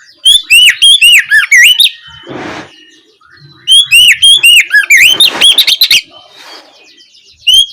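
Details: Evening ngeplong song of an Oriental magpie-robin, played to encourage another bird to answer: repeated bursts of fast, looping whistles and harsh buzzy notes, separated by short pauses with a soft noisy rustle.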